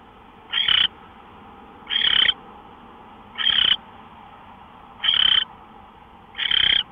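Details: Owl calling at 5:27 a.m. on March 24, 2013, five rough, hissing screeches roughly every 1.4 seconds, set against a louder constant background hiss.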